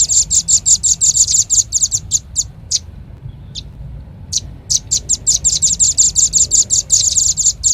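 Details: High, sharp chip series of a velvet-fronted nuthatch, used to draw birds in. Rapid notes slow into a few spaced calls, then return as a quick, regular chatter.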